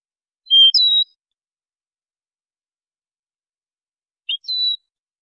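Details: European goldfinch training song, recorded in high quality for tutoring: two short, bright phrases, each a flat whistled note followed by a higher clipped note, about four seconds apart, against complete silence.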